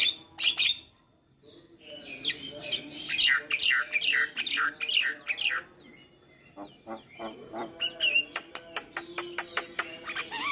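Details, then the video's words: Javan myna giving full 'isian' song to provoke other mynas into replying: a pause, then a long, loud stretch of chattering buzzy notes, followed by fast, evenly repeated sharp ticks and chirps. "Jalak Apapun Yang Dengar Suara Jalak kebo Full isian Ini AKan langsung Nyaut Manggut2"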